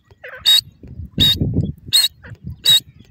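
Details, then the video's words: Four loud, harsh grey francolin notes, called irani teetar, come about every 0.75 seconds, with a low rumbling noise and a few small squeaky notes between them. "irani teetar beautiful natural awaz,natural voice of pheasant bird"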